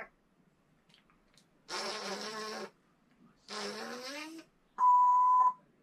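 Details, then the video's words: A 36-year-old female Congo African grey parrot, a pet, imitates fart sounds: two raspy, buzzy bursts of about a second each, the second sliding upward in pitch, then a brief steady pure whistle. "My Parrot Makes 'Fart' 💨 Sounds"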